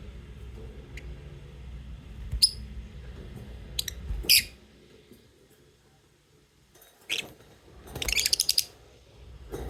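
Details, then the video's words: Lovebird chirping with sharp, high squeaky notes in short bursts, a pause of near quiet, then a louder run of fast rasping chirps near the end. "Cute love birds singing sound and chirping sound"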